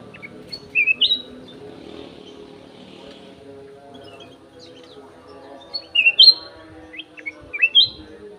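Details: Clear-voiced golden-fronted leafbird in an aviary singing: a quick burst of high, bright whistles, a quiet gap of several seconds, then a longer run of rapid, twisting whistled notes, over a low hum.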